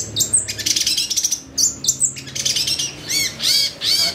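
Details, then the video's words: Long-tailed shrike in continuous varied song with full isian, meant as a lure for excited singing. Fast stuttering high chatter alternates with short slurred whistles, then several arched, sweeping notes. "PANCINGAN CENDET AGAR BUNYI EMOSI, CENDET GACOR FULL ISIAN"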